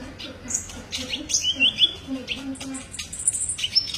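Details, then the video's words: Kolibri ninja sunbird tutoring song: a busy run of high, thin twitters and short whistles with a brief trilled phrase, delivered almost continuously over a faint low murmur. "masteran burung Kolibri ninja"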